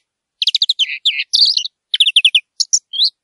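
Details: Song of a European greenfinch in nature: a fast twitter of clipped high notes in a few tight bursts, mixing quick chirp series with short slurred and buzzy elements.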